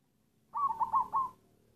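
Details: One stuttering phrase from a black local perkutut, or zebra dove: four quick, warbling coo notes in a row, the last slightly separated, over a quiet low hum.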